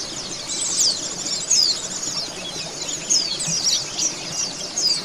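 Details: Oriental white-eye (pleci) song meant to speed a caged bird into singing: continuous high chatter broken by clear descending whistled notes roughly every second.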